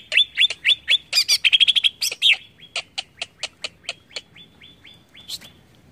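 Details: A greater green leafbird song meant to provoke other birds: clear whistled notes and a quick chattering run, then a steady series of sharp clicks fading toward the end.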